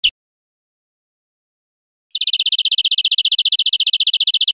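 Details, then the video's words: Training recording for caged birds with European greenfinch song: a brief note at the start, silence, then a tight, fast trill of high notes over the last two and a half seconds. "NUEVO CD PARA EDUCAR VERDERONES"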